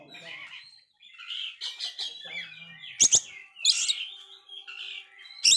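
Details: Oriental magpie-robin, failed moult but very active, used to provoke dispirited kacer: rambling soft warbles and chatter broken by a few loud harsh bursts.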